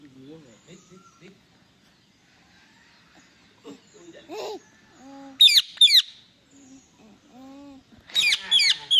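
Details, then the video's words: Indian ringneck parakeet, a talking parrot, giving two bursts of harsh, high, rapidly wavering screeches about three seconds apart, each of two or three quick notes, over quieter low murmuring sounds. "Funny Parrot Noises"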